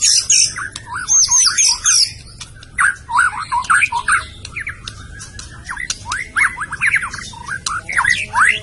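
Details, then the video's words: White-rumped shama from Medan singing a rich, varied song of rapid whistled slurs and chattering phrases, notes sweeping up and down with high squeaky bursts, continuous throughout with a low background hum. "kicau burung murai batu medan"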